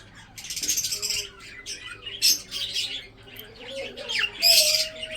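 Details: Budgerigars in a breeding colony chatter in buzzy bursts and sharp squawks, several birds overlapping, with a faint hum in the background.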